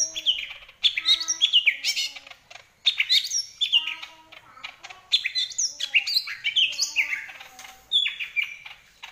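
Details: Greater green leafbird in full, vigorous song: a rapid, varied stream of sweet chirps, sharp downslurred whistles and twittering phrases, delivered in bursts with brief pauses.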